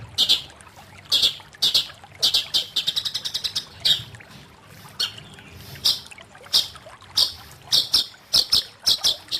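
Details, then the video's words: Singing long-tailed shrike delivering varied high, scratchy chirps and rapid stuttering runs, phrases spaced irregularly with brief gaps, some notes clustered into quick rattles. "Burung Cendet Ini Punya Suara yang Luar Biasa"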